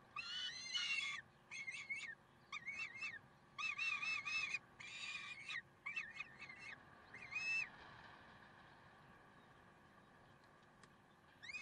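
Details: Karlsruhe Peregrine falcons, 30 May 2010 at 6:56: bursts of rasping, ringing calls in the first half, some short and stuttered, others longer. Calling then thins to scattered notes, with a quieter stretch near the end.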